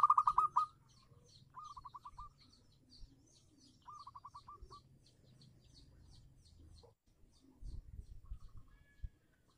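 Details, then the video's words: Zebra dove of local stock singing as a lure to restart doves that have gone quiet: one loud burst of rapid cooing notes, then softer repeated phrases of short cooing pulses, with faint chirps of other birds and low rumble. "perkutut lokal gacor pancingan super ampuh untuk perkutut macet bunyi"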